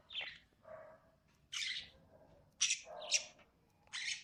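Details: Lovebirds giving loud, harsh high chirps that alternate with softer, lower, nasal notes, in an uneven back-and-forth pattern.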